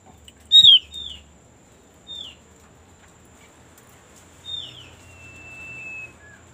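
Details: White-eye (opyor) used as a lure to get birds singing quickly: a sharp high chirp, two short downslurred whistles, then a longer falling note leading into a steady, thin, sustained whistle, over a quiet background hum.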